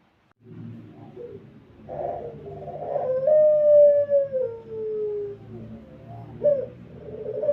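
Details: Pelung-style coo of a Barbary dove, used to lure other doves into cooing. It opens with low grumbling sounds, followed by a long hooting note that falls gradually, and then a short rising note.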